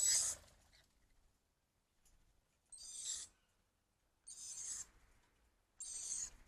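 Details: Cockatoos gathering at a tree for food in the evening, giving short harsh high-pitched screeches in four separate bursts roughly every one and a half seconds, with quiet pauses between.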